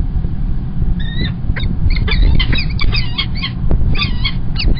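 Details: At Kingston College in the UK on 1 March 2021, a male Peregrine falcon delivers an early breakfast; clustered, harmonic squealing calls come in rapid runs, set against heavy low-pitched background rumble.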